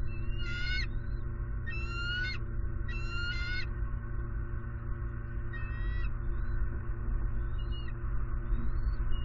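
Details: Bald eagle at a southwest Florida nest, 28 December 2019, as the male flies in with a fish: bursts of harsh, high chattering notes in three quick groups, then fainter single squeals over a steady loud low hum.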